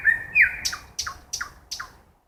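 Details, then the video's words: ['A nightingale sings in a forest at night. A drawn-out whistle slides upward, then a series of four sharp, down-slurred notes follows at steady intervals.'] "Красивое пение соловья в лесу ночью"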